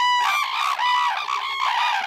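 A crane gives a loud, ringing trumpet, several rich nasal notes running together with slight rises and falls over two seconds.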